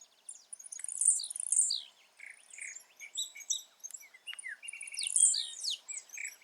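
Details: Wild blue-black grassquit repeats its high, buzzy, down-slurred song about every four seconds in natural habitat. A dense chorus of other birds' whistles and chirps surrounds it.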